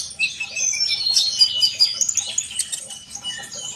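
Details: Sunbird singing hard, played so other birds join in: dense high-pitched twittering with rapid chirps and short scratchy notes, about two or three per second, keeping up without a break.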